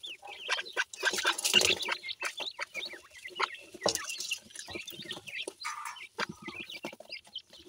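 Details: Partridge and yellow pheasant chicks feeding together at home while parents watch; busy stream of short high cheeps and chirps, many birds calling at once, with bursts of louder clucking and pecking noises.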